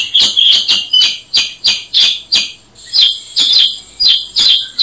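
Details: Repeated sharp, ringing chirps from a Black-headed Bulbul (Brachypodius atriceps), delivered in a brisk, slightly uneven series of about a dozen notes with a brief lull midway.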